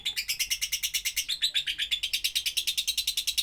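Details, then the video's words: Lovebird song suited for tutoring other birds: a steady stream of harsh, high chirps repeated about seven times a second, running unbroken throughout with even loudness. "Love bird doubbelan ajib cocok untuk masteran"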